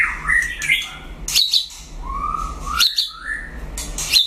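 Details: Singing duel by a White-rumped shama, with mellow whistles sliding up and down, broken by loud buzzy high bursts, and a faint low hum behind.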